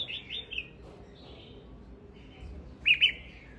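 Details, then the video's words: Male red-whiskered bulbul in song: soft, slightly buzzy warbled phrases at first, then a louder pair of clear slurred whistles near the end, over faint low background noise. "Tiếng chim chào mào trống hót"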